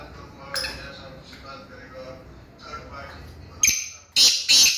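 Black francolin giving loud, harsh, grating notes in three quick bursts at the end, after a stretch of faint mixed background chatter.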